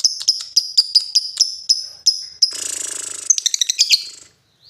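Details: Lovebird moving from 'ngetik' to 'ngekek': a series of sharp high ticks, then a long buzzy rattling chatter and a few shrill squeaks.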